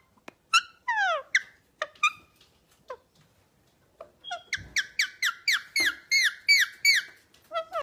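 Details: Pet parrot calling indoors; several squeaky slurred notes open the sequence, then a quick run of about ten similar chirping calls repeats steadily.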